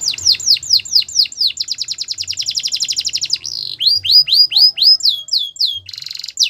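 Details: A Belgian canary sings a fast descending series, then a long rapid pulsing trill, then a run of rising whistled notes and swooping slurs, finishing with a short harsh buzz.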